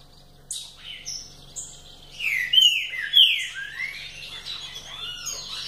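Green-winged saltator delivering a rich, varied run of loud slurred whistles, rising and falling in quick phrases, over a faint steady electrical hum.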